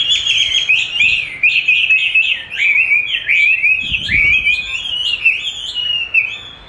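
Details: Chinese hwamei, trained by hearing its own recorded song, sings a steady flow of loud whistled notes that bend up and down in quick zigzag phrases, with a brief low thump midway.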